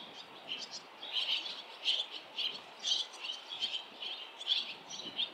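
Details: ['Swallows gathered around a nest at fledging time, parents and other young flying in; short buzzy high chirps roughly every half second, evenly spaced and of similar loudness.']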